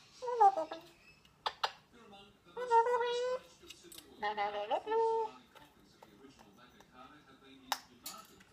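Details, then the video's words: A male pet bird singing into his bowl gives short, nasal, harmonic warbles and a rising-then-falling whistle in bursts every second or two, with sharp clicks and taps between phrases. "singing into his bowl"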